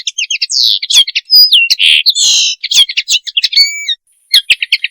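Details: Mating song of a common linnet, Linaria cannabina: quick twittering notes mixed with rising and falling whistles and buzzy bursts, a short pause near the end before the chatter resumes.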